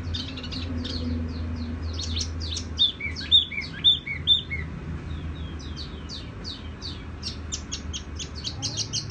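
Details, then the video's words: Tiểu mi singing gently and resonantly. A thin, high twitter gives way to a few loud, bright whistled notes mid-phrase, then a long run of rapid, quieter chips. "Chim tiểu mi hót tiếng vang dịu"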